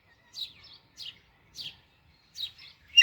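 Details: Baby Alexandrine parakeet making four brief, high, descending chirps spaced roughly half a second apart, ending on a sharper louder note.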